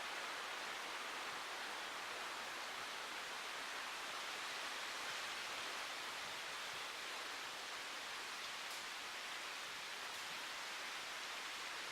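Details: Steady broadband rushing noise, like flowing water or wind, continues throughout with no animal voice.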